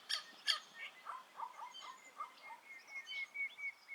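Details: Grey-crowned babblers, social birds in a noisy chattering group at Uluru in Australia's Red Centre outback, give two harsh rasping notes, then a run of quick burbling mid-pitched calls, over a steady thin high whine.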